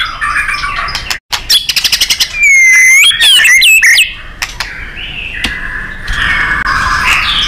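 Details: White-rumped shama, recorded to train contest birds, singing fiercely: a fast series of clicking notes, then loud looping whistles with rich overtones, trailing into quieter warbles.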